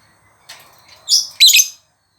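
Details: A soft scratchy lead-in gives way to two loud, harsh, high-pitched chirps from a lovebird in close succession.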